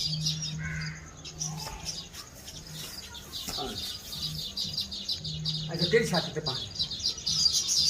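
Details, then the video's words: Sparrows chirping as they collect food near their woven nests holding eggs: quick, high overlapping chirps, a few sharper louder notes near the end, some clicking and a low background hum. "Chirping sounds of birds"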